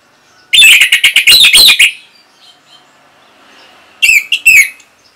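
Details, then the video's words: Orange-headed thrush (Geokichla citrina) from northern Bali, used to train other birds to sing, giving a loud burst of rapid high chirps and trills lasting over a second, a pause, then a shorter repeat phrase. "ANIS MERAH ini Mampu Membuat Burung Bahan Maupun Macetan Bisa Langsung Nyaut Ngeplong"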